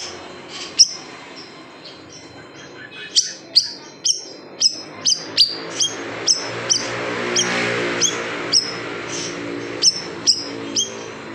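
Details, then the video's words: Large siri-siri bird giving 'tembakan pedas' shots for training caged songbirds: a quickening series of high, sharp downslurred chips, about fifteen in a row, over a rushing background hiss that swells midway. "SIRI SIRI BESAR TEMBAKAN PEDAS | MASTERAN BURUNG KICAU"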